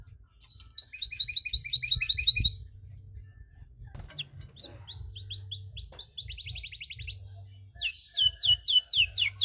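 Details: Caged canary singing a long-duration cengkok song meant to provoke other canaries: bursts of rapid high trills and rising sweeping whistles, broken by short pauses and a brief low knock.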